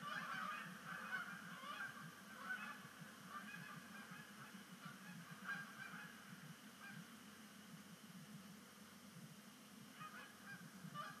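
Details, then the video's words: Canada geese at Sapsucker Woods Pond during the first sunset splashdown of the 2019 migration season; honking is loudest at the start and gradually softens, with scattered calls and a low rumble continuing. "First Canada Goose Sunset Splashdown of the Year"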